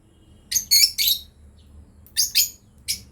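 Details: Shrill, scratchy chirps from a breeding pair of lovebirds, three quick notes, then after a brief pause two more, and a final lone chirp.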